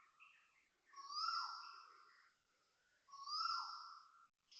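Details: Asian koel giving loud vibrato calls at 6.13am on 13 November 2025 at Toa Payoh Lorong 8, Singapore: two long, strong, slightly rising notes about two seconds apart, preceded by softer chirping notes.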